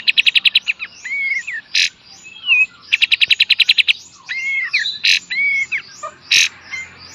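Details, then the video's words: Master training song of an Olive-winged Bulbul (kapas tembak) in the 'beset dan tembak' style: fast rattling bursts of high ticks alternating with clear slurred whistles and harsh buzzy notes. "KAPAS TEMBAK FULL BESET DAN TEMBAK"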